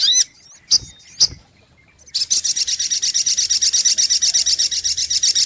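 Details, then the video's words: A few sharp, high chip notes from a sunbird (sogok ontong) lead into a sustained rapid trill of bright, buzzy, evenly repeated notes in a lure recording. "SUARA PIKAT mp3 BURUNG SOGOK ONTONG PALING TOKCER"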